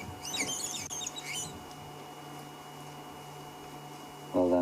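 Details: A hidden flock of wattled starlings calling from a tree near a breeding buffalo herd on an African sunset safari (28 December): about a second of high, squeaky, puppy-like chattering over a steady engine hum, then a man speaks.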